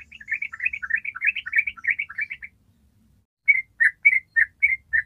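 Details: Yellow-vented bulbul singing the long 'ropel' style: a fast, tumbling run of bubbly notes for over two seconds, a pause, then six clear spaced chirps.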